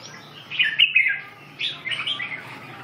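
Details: Red-whiskered bulbul giving two quick chattering, whistled phrases separated by a brief pause, each a tumbling rise-and-fall of clear notes; a light steady hum underneath.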